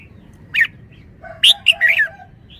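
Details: Red-whiskered bulbul singing: a short bright note, then a loud burst of three quick liquid whistled phrases dropping in pitch, over a low hum with faint background tones.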